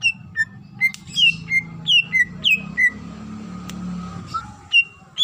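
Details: Greater green leafbird female calling for the male, played to make other leafbirds call: steady sequence of clear whistled notes, each dropping in pitch, repeated about three times a second, then a pause and a few final whistles.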